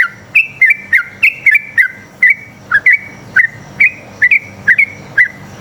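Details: Sooty-headed bulbul (trucuk) lure song for prompting caged trucuk to reply; crisp whistled two-part notes repeated roughly twice a second, each sliding up then down, against a quiet background hum.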